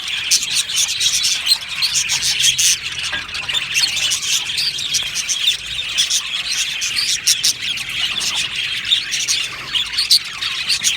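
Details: Australian budgerigar colony in an aviary, chirping: bursts of sharp high tweets and scratchy warbles pulse over constant flock chatter.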